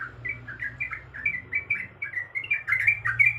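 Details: Short, quick chirped notes from a female sooty-headed bulbul in breeding condition calling a male, running about three per second and growing louder and denser at the end, over low steady hum.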